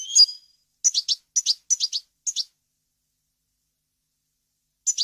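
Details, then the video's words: European goldfinch giving a short twittered phrase followed by a spaced series of paired high chirps, then silence and one more brief chirp; a clean recording intended for teaching young birds. "غناء طائر الحسون ، صوت صافي وخالي من الاخطاء لتسميع الفراخ"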